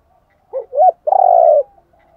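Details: One spotted dove decoy phrase, a male and female coo used to excite birds in training: a short hoot, a longer arched note, then a sustained buzzy low coo lasting about half a second.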